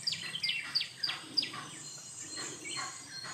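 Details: Jungle babbler calling while grooming: a quick run of five sharp, high chirps, each sliding steeply downward, packed into the first second and a half, then fainter scattered chirps over a steady hiss of background noise.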